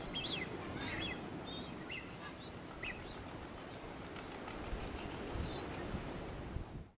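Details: Genovesa cactus finch, Geospiza propinqua, recorded on Genovesa in the Galápagos, Ecuador, in May: short high chirps and brief whistled notes scattered through the clip over steady low outdoor noise.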